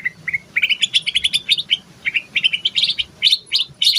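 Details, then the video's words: Greater green leafbird song in terotol style, from a yellow-headed female from Banyuwangi: continuous rapid chattering of short whistled and buzzy notes that climb from mid to high pitch with barely a break. "Cucak ijo Terotol"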